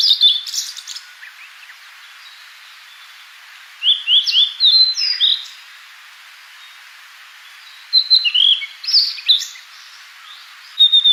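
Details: Fork-tailed sunbird calling in natural sound: three bursts of sharp, high, thin notes spaced a few seconds apart, with quick upward slurs and short chips, quiet in between.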